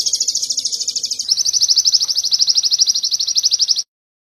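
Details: Canary from a modern sogon training recording: a rapid high rolling trill that shifts slightly in pitch partway through, with notes repeated about three per second's tenth, ending abruptly.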